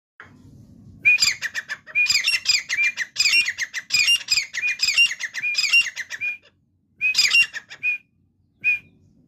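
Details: A grey francolin (Ortygornis pondicerianus) gives loud, harsh, rapidly repeated ringing notes in bursts of several seconds, pausing briefly before short final phrases.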